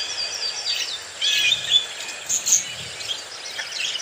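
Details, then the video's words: Active, happy budgies chattering: quick high warbling chirps and short whistled notes in uneven bursts, several birds overlapping, with a faint hiss behind. "happy budgies 🌈 are very active"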